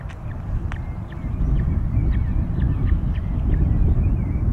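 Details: Ospreys at their nest at Loch of the Lowes, Scotland, on 22 May 2021, during feedings after the third chick hatched: short, sharp chirps repeated about four times a second over a steady low rumble of wind and hum.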